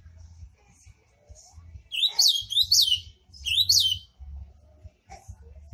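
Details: Ultramarine grosbeak from a private keeper delivering a short, rapid song: a brief burst of bright, slurred whistles rising and falling in three quick loops, with steady low hum and soft knocks behind.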